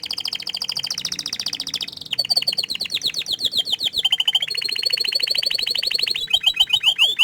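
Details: Canary that is said to be shy about showing its face sings a long varied song of rapid repeated-note trills, each tour changing pitch and speed, with rolling rattles and quick descending notes.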